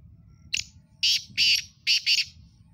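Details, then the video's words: Sindhi black francolin, known locally as kala tetar, calling. Harsh, grating squawks come as a single note followed by two pairs of loud, rasping notes, all in quick succession in a quiet setting. "Sindhi Kala Tetar ki Awaz"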